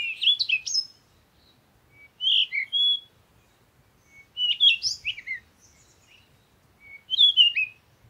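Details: Parakeet calling in four loud bursts of harsh, squeaky chattering, roughly every two to two and a half seconds, each made of fast rising and falling chirps, over a faint low background murmur.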